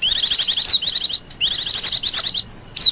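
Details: Japanese white-eye, a wild bird used as a lure and song tutor, delivering dense high twittering phrases with falling whistled slurs, three bursts broken by brief gaps.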